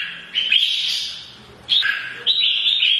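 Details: Mature wild-caught red-whiskered bulbul in morning fighting song meant to provoke other birds: three bright warbled phrases, a long chattering burst, then two shorter whistled bursts separated by brief quiet gaps.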